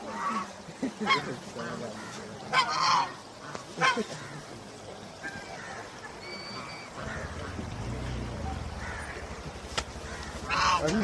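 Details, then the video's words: Duck swimming on water, giving a few loud, nasal, honking calls in short bursts near the start, spaced a second or so apart, then falling quiet while a steady low rumble takes over the second half. "Duck Making Cute Sounds While Swimming"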